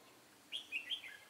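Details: Red-whiskered bulbul, a red-eyed bird used as a decoy while trapping, recorded 23 March 2018. A brief, bright warble of three quick rising and falling notes over a soft hiss.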